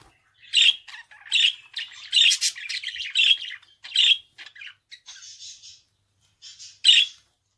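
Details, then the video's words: Budgerigar repeating loud rasping squawks about once a second amid a busy twittering warble, then softer buzzy notes, a pause, and one last sharp squawk. "Kuş sesi - Muhabbet Kuşu"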